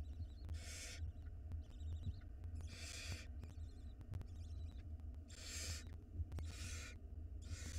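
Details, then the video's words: Young barn owl in an Israeli nest box, filmed on a live cam while swallowing a mouse whole; harsh, noisy hissing screeches of about half a second each come four times, over a constant low hum with faint ticking. "Small barn owl nestling swallows mouse whole"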